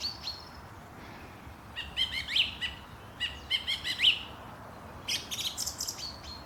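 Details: Morning birdsong at Langley Park, Durham, with several birds calling: clusters of quick high ticking notes and brief warbled phrases, irregular and overlapping, over a faint outdoor background hiss.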